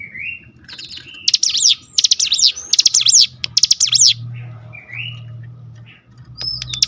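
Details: Cinereous tit singing in response to a lure recording. Rising whistled notes lead into a long run of fast, buzzy zigzag trills, then more rising whistles, with a faint low hum behind.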